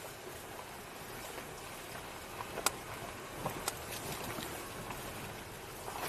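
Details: Soft rain-like patter with a few sharp knocks and clicks, and no animal voice heard.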